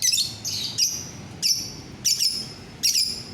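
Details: Lovebird, 9 December 2021: quick run of shrill, piercing high chirps, often in close pairs, repeated about every half second.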